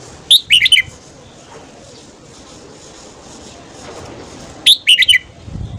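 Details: Red-whiskered bulbul morning song, used to stimulate wild birds to sing: two short, bright phrases of four or five quick whistled notes, about four seconds apart, over a steady background hiss.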